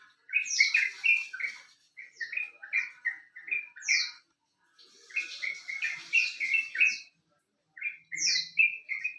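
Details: Sooty-headed bulbul song for luring birds into singing: lively bursts of short, liquid whistled notes in rolling phrases, separated by brief pauses, with high thin slurred notes and a faint hiss behind.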